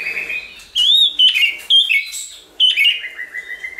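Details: White-rumped shama singing in many voices, used to provoke and train shamas to sing: steady whistles, then bursts of varied chirps and a descending series of short notes.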